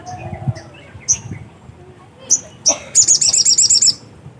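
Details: Black-capped white-eye, locally called sogok ontong, singing eagerly (gacor): scattered sharp, very high chirps, then a quick run of about nine bright, evenly spaced high notes near the end, over a low background hum.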